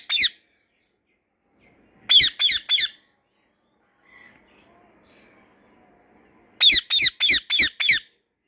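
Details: Loud, harsh screeches from a white rose-ringed parakeet enjoying a garden: one short call, then a run of four grating notes, a quiet pause with faint rustling, and a final burst of five rapid screeches.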